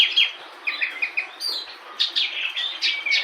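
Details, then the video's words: Local branjangan, or bush lark, with full repertoire: a quieter jumble of short chirps, trilled bursts and thin whistles, irregularly spaced over a steady background hiss. "Branjangan lokal full materi"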